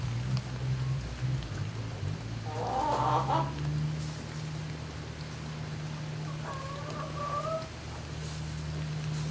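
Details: Barn turkeys at night, May 2018: a strong low machine drone dominates, with a burst of rough clucking calls and later a steady harmonic whistled note.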